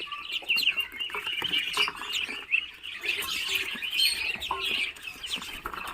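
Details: Muscovy ducklings hatched in an incubator after 28 days, producing a busy chorus of high peeps and chirps with occasional louder cheeps and light tapping sounds.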